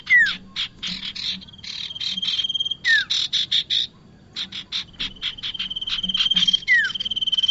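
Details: Bar-winged prinia calling, played to lure birds into traps: repeated buzzy chattering notes in uneven bursts, three quick downward slurs, and a steady high tone throughout.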